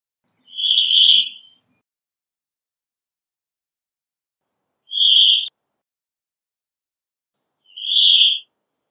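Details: Singing Brambling gives three harsh, buzzy, drawn-out wheezes at a steady high pitch, separated by silent gaps of three to four seconds.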